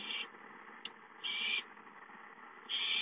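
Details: Hungry owlet calling for food at home, 5-9-13: long hoarse hissing screeches, three in quick succession with a brief tap between them, over constant low background noise.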